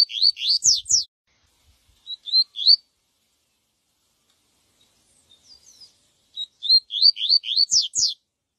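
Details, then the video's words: Yellow-bellied seedeater singing the viviti song style, used for training young birds: two bursts of quick, rising, whistled slurs in rapid series, separated by a short pause with a few softer notes; faint low knocks. "coleiro baiano canto viviti pra encarte"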